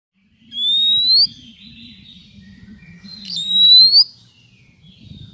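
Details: Female Oriental magpie-robin calling to stimulate and lure males, used for trapping: two loud, clear, rising whistles about two seconds apart, with faint softer notes between them and a low steady hum underneath.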